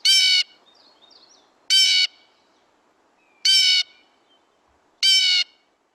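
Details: A Blue Jay, a crow-like corvid, gives its typical loud, harsh jeer call four times, each about half a second long and roughly two seconds apart, with faint chirps of small birds between.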